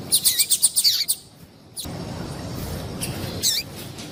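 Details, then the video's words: Female yellow-bellied seedeater calling to stimulate males: a fast run of about eight high, thin chirps in the first second, then a gap and a couple of single sharp chirps over a steady background hiss. "Fêmea de Papa capim piadeira para Esquentar Papa capim"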